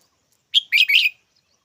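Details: One short red-whiskered bulbul call, sharp opening whistle-like note and two scratchy trailing syllables, heard close and clean.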